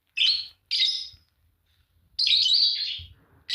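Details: Green Fischer's lovebirds, a pair, give loud, scratchy, high chirps: two short calls, a second of quiet, then a long drawn-out buzzy chirp and the start of another.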